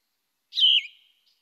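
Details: Yellow-throated vireo (Vireo flavifrons), a woodland species that nests in DuPage County, giving its song: a single short, burry phrase, high and slightly falling, with a raspier tone than the Blue-headed Vireo's.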